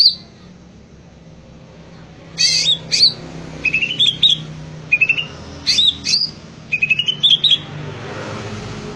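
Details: Greater green leafbird in gacor singing: after two quiet seconds, a string of short bursts of high whistled and chattering notes, some sweeping upward, comes at roughly one-second intervals, then fades into faint hum.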